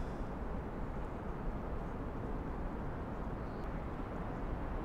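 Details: Steady low rumbling noise, like distant traffic or wind, fills the whole stretch without any animal call.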